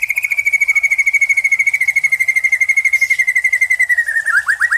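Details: Caged white-rumped shama, trained for singing contests, holding a long, fast, even trill of repeated notes that slowly lowers in pitch and ends in rising whistled slurs.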